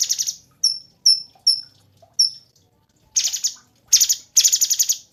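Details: Cungkok master songbird for training competition birds: five sharp, high, downslurred whistled notes, a soft low note between them, then three loud harsh buzzy rattles close together at the end.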